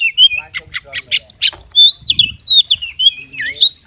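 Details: Oriental magpie-robin kept as a fighting bird, singing nonstop in its learned mixed style. Harsh clicking notes open the phrase, followed by fluid whistled slurs and twisting high warbles. Faint low background murmur.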